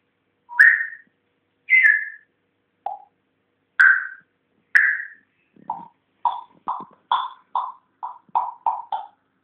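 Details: African grey parrot kept as a pet and learning to talk, whistling a few rising notes, then a lower grunt and a quick series of short clipped whistles and clicks.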